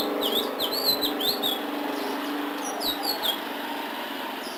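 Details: Ledekan laut singing in a full, lively 'gacor' style with fill-in phrases: bursts of short sweeping chirps around the upper register, given in quick groups with brief pauses, over a steady low hum.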